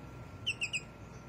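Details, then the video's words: Greater green leafbird chirping busily, the ngriwik style: three short, sharp, downslurred notes in quick succession over about a third of a second, followed by a quiet low background hum. "cucak ijo rajin ngriwik"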